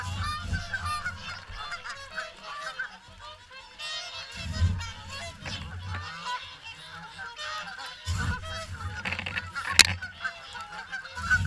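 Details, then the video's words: Flock of swans during the morning feed at WWT Caerlaverock; continuous overlapping honks and nasal calls from many birds, with bursts of low rumbling noise and a sharp click near the end. "Morning Swan Feed"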